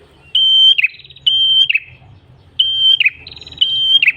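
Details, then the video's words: Red-headed prenjak tailorbird in lure song: high flat whistled notes that each end in a rattling downward flick, repeated about once a second. A soft low hum runs in the background. "PRENJAK KEPALA MERAH GACOR SUARA NGALUN"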